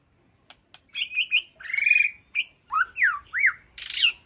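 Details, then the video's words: Inside a peaceful aviary a white-rumped shama calls to its flock with a few clicks, a long wavering whistle, then a string of loud swooping notes that rise and fall sharply. "Sound of White-rumped Shama Call to Flock"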